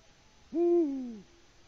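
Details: Male Eurasian eagle-owl on a Latvian live camera, hooting for a mate with no female answering, at 18:06 on 6 March 2019: a single deep, booming hoot lasting under a second and dropping slightly at the end.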